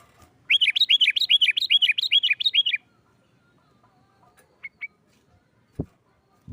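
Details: Sooty-headed bulbul in lively 'nggaruda' fighting-style song, used to provoke other bulbuls into singing: a fast burst of about eleven sharp, down-slurred whistled notes over two seconds, then quiet with two brief chirps and a couple of soft knocks.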